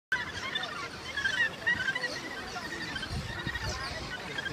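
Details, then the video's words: A dense, unbroken chorus of harsh, rasping calls from many gannets at Muriwai, on Auckland's rugged west coast, said to be the world's northernmost mainland gannet colony, with faint human voices in the background. "Gannet colony"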